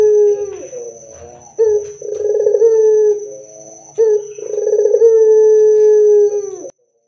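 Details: Barbary dove song used as a lure to prompt other doves to answer and sing; loud, low, drawn-out cooing notes in two long phrases, each opening with a short break and then held steady, with a faint steady high tone behind.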